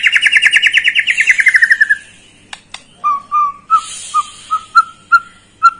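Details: White-rumped shama song played as a lure to stir a young bird into singing: a fast buzzy trill of rapid repeated notes sliding downward, then a pause and a series of short, clear whistled notes about twice per second.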